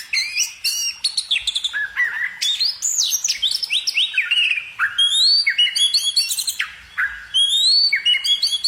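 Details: Loud nonstop warbling from a bird: a tumbling mix of rising and falling whistles, buzzy chips and rapid trilled notes, packed densely together.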